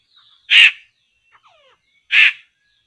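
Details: Harsh, scratchy laughingthrush calls at a trapping site. Two loud rasping bursts come about one and a half seconds apart, with soft thin chirps between them.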